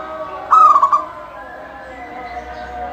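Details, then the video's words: Single quick trilled cooing phrase from a local zebra dove whose song is used to start other doves singing, followed by a low continuous hum. "Suara kutut lokal gacor full manggung"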